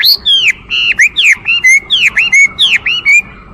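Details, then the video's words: Rich whistles from a Chinese hwamei, each note swooping down then up, repeated in a brisk, irregular sequence of bright phrases. "画眉鸟的声音 The Voice of a Thrush"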